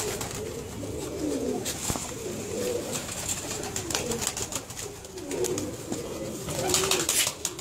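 An Indian Fantail pigeon gives low, rolling coos in repeated bursts every second or two. Scattered clicks and a faint background hiss come through indoors.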